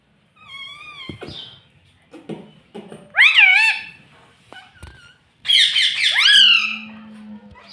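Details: Talking pet parrot indoors saying "mummy papa": nasal, harmonic, speech-like words in two bursts, with wavering rise-and-fall syllables and a short low hum beneath the second burst.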